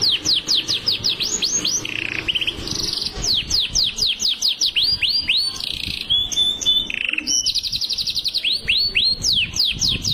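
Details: Kenari Rasmi canary singing continuously in gacor style: quick runs of downward-swept whistles, interspersed with dense buzzy trills and a brief steady whistled note, energetic and unbroken.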